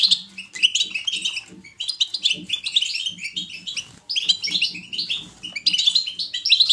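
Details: Lively European goldfinch chirping, selected to prompt other goldfinches into song. Rapid, ringing twitters and buzzy trills in several bursts, accompanied by a soft, regular low ticking in the background.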